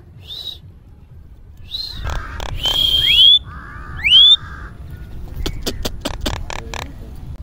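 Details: A pet talking common myna named Mithu, coaxed to talk and whistle after bathing, gives a jumble of speech-like syllables, sharp rising whistles and a rapid string of dry clicks, with faint background murmur.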